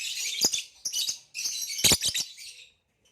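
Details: Ringed male green hybrid Lilian's lovebird chatters loudly, shrill grating chirps run together in two bursts, each with sharp clicky accents, before falling silent.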